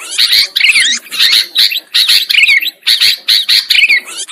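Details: Sooty-headed bulbuls used as a trapping lure, calling in short, scratchy chattering bursts about twice per second, each holding a slurred downward note.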